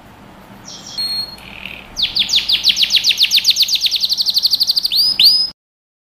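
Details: A canary sings training song: faint whistled and buzzy notes, then a loud rapid series of downward chips about four per second, closing with two rounded swooping notes before stopping.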